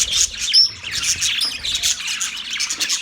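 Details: Short spell of Australian budgerigar chirping, bright high tweets and a thin whistled note over a steady bed of crowded chatter.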